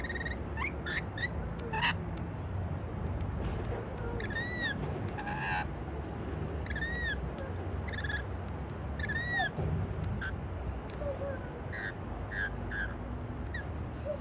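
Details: Rainbow lorikeets on a patio eating white bread, calling repeatedly: sharp, harmonic screeches and clicks scattered through the stretch, some in quick pairs, over constant low-pitched noise.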